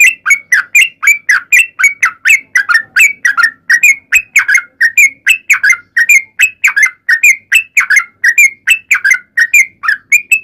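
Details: Sooty-headed bulbul lure song, long and combative, to draw replies from other bulbuls; fast chain of liquid whistles alternating rising and falling notes, continuous for ten seconds, quiet background.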